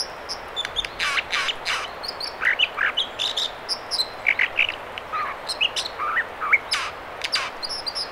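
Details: Singing American dipper at river spawning channels near Squamish, B.C., delivering a long, jumbled series of sharp high chips, buzzy notes and looping whistles over constant flowing-water noise.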